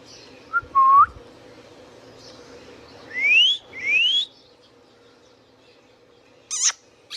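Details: Whistling Indian ringneck parakeet: a brief upslurred note, then a pair of long, smoothly rising whistles, followed after a pause by a couple of short, harsh, high squeaks against faint steady hum.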